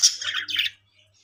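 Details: Budgerigar from a breeding colony of Australian parrots giving one loud, harsh, buzzy chirp lasting under a second, with a faint low hum behind it.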